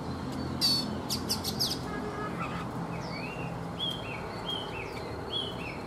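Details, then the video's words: Caged Oriental magpie-robin, an adult caught from the wild and kept three seasons in a cage, singing in the morning: a few sharp clicks and buzzy bursts, then a run of short, rising, slurred whistles roughly every half second, over a low background hum. "Chòe Than già rừng - 3 mùa lồng hót buổi sáng"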